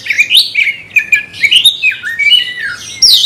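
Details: Oriental magpie-robin (Copsychus saularis), song: provoked to fight a rival.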